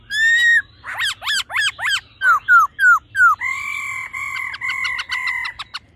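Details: Laughingthrush, a churring female and a male singing in a mature wild voice to excite males: a quick series of steep upswept notes, four falling slurs, then a run of level sustained whistles fading out.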